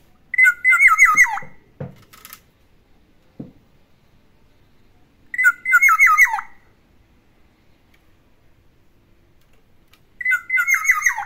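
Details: Black-naped oriole kept at home repeating one imitated song phrase three times, roughly every five seconds: quick loops of warbled notes sliding downward, with faint knocks between.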